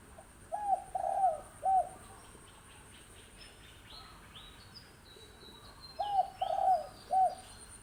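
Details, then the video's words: Wild spotted dove, six months old, gives two three-part coos several seconds apart, each a short note, a longer rolling note and a clipped final note, over faint insect buzzing and distant higher bird notes. "เสียงนกเขาใหญ่นกป่าอายุ 6 เดือนครับ"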